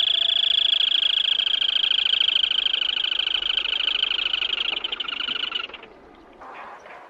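A Black-tailed crake gives a long, high, rapid trill that holds steady for about five seconds, then stops, leaving faint background noise.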